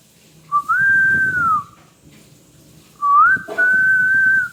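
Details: Pet parrot giving two long, level whistles about three seconds apart, each rising at the start and falling at the end, with faint low background rustle.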